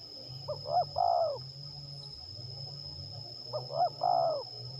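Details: In Liwa, West Lampung, Indonesia, a spotted dove used in decoy trapping gives two phrases, each a pair of short lifting hoots followed by a long wavering coo that sags at its end; steady insect whine and low hum continue underneath.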